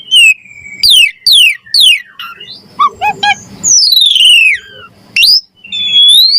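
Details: Vigorous Javan pied starling song with varied fill, used to train and lure starlings: loud downslurred whistles repeated in quick succession, a few short chuckling notes, then long descending and rising whistled glides.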